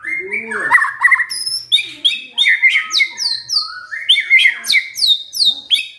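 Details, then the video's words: White-rumped shama lure song meant to make a stressed shama burst into song: a varied, rich outpouring of slurred notes, high sharp downward flicks and warbled runs, delivered continuously without pause. "SEKETIKA MURAI STRES SONTAK BERBUNYI DENGAR PANCINGAN INI"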